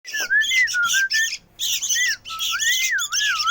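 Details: Noisy sooty-headed bulbul chick calling indoors: dense bursts of harsh, buzzy squawks laced with gliding whistled notes that rise and fall, in two runs of calls separated by a brief pause, with a faint low hum beneath.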